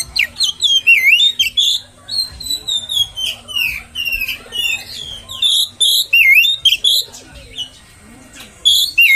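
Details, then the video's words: Oriental magpie-robin song played to provoke other magpie-robins into agitation: a rich, varied run of loud whistled phrases, slurred rising and falling notes and sharp chips in quick succession, with brief gaps between bursts. "PANCINGAN KACER!! terbukti kacer ANDA AKAN NGAMUK!!!!"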